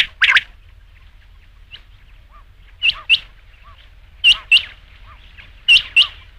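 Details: Rain quail sound for night hunting: sharp, ringing double notes in well-spaced pairs, about every second and a half, with faint soft lower chirps trailing between them.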